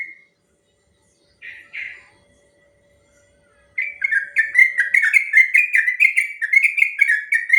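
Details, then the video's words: Yellow-vented bulbul, long rapid 'ropel' song used to teach and provoke other bulbuls: a brief note, two short gurgling bursts, a pause, then a lively, fast sequence of rich, falling whistles. "Suara burung trucuk ropel panjang"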